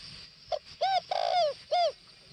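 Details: Decoy spotted dove, Northwest Vietnam, cooing one full phrase: a brief clipped note, then a rounded arched coo, a long slightly wavering coo and a closing arched coo, over faint steady background hiss.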